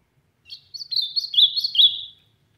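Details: Ultramarine grosbeak singing loudly, from the sertão: a rich warbled phrase of slurred whistled notes, rising and falling, lasting about one and a half seconds, with no other sounds.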